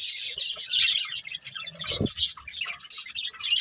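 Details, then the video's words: Breeding pair of pet budgerigars chattering in a dense high warble of scratchy chirps and thin squeaks, with one short low knock partway through. "Cute Budgies Chirping Sounds"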